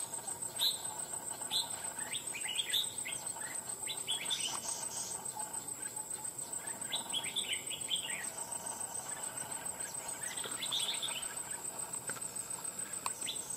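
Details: Wild-caught red-whiskered bulbul, caged after nearly two months of trapping, said to sing readily with a loud bell-like voice: short bright warbled phrases of slurred rising and falling whistles, repeated throughout, over a steady high insect-like hiss.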